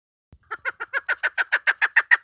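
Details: Chukar partridge female lure call for hunting, a short burst of a dozen clucking notes that grow louder and brighter, preceded by a soft thump.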